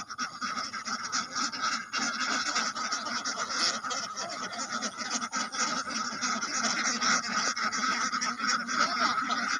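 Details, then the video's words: A large group of ducks quacks nonstop, with many harsh calls layered into a thick, continuous racket. "Duck sound| Drake sound| Duck roar | Duck hic |duck quack |"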